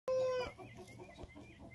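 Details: Hen crowing: a single loud, steady tonal note about half a second long, held flat with stacked harmonics, followed by faint soft clucking and low background murmur.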